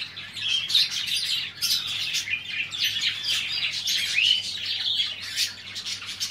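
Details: Budgerigar; chatter; prompting other caged birds to start singing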